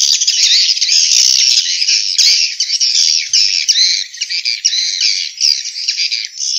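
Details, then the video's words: Swiftlet calls from Vietnam, played to attract swiftlets to bird houses: dense, continuous high chattering twitter with rapid buzzy chirps running without a break. "Tiếng chim yến kêu từ Việt Nam"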